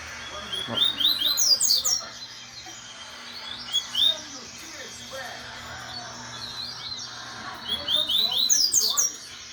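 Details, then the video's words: Double-collared seedeater, a young male fond of tournament-style song, answering a phone recording. Three bursts of rapid, high, descending chirps, at the start, middle and end, are separated by quieter gaps with a steady low hum. "Esse Gosta De Som De Torneio PaPa Capim"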